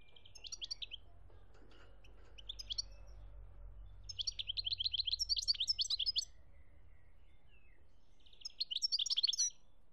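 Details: Algerian European goldfinch song recorded in 2017: several separate phrases of bright tinkling twitters and fast rattling trills, with silent gaps between them and a low hum underneath.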